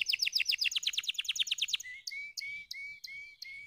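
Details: Canary singing, meant to stimulate lazy birds to sing: a fast bright chattering trill for nearly two seconds, followed by separate short whistled notes repeated at a steady rhythm.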